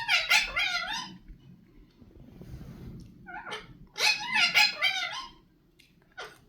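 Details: Indian ringneck parakeet talking indoors: two bursts of high, harmonic, speech-like chatter with gliding inflections, separated by a quiet gap with low room hum, then a short final syllable.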